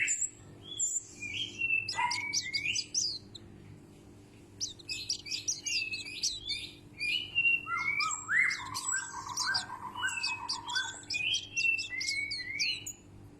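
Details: White-breasted white-eye, a loud-singing pleci said to resemble the Sumbawa kecial: high sharp chip series and whistled slurs, a short pause, then a long rapid twittering run with descending warbled phrases, against a constant low hum.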